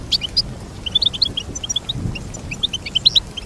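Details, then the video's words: Goldfinch song of sparse, bright chirps and short twittering notes, scattered irregularly through the clip with brief pauses, over a faint low background rumble. "Teach your goldfinch to sing beautiful motivational songs"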